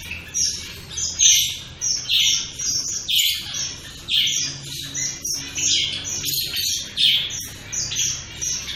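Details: Shaft-tailed finches, more than one bird, trading high chirps with nasal, slightly buzzy calls, about one strong note per second against quieter overlapping twitters and a soft low background hum.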